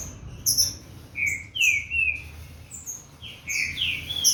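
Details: Green-winged saltator from a breeder, a Corvo x Fogueira cross, warming up its song: short whistled notes that slur downward and then rising phrases, with frequent sharp high chirps of other cage birds around it.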